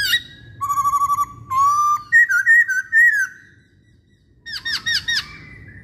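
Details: Masked laughingthrush lure song (pancingan), with a trill of short whistles, then longer wavering whistled notes, a brief silence, and a burst of quick looping, harmonic-rich calls.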